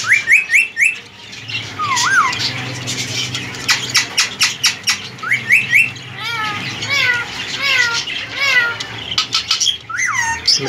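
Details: Semi hand-tamed male ring-necked parakeet, three years old, healthy and active: a varied run of sharp chirps, rising and falling whistled slurs and rapid squawky bursts, busy and loud throughout.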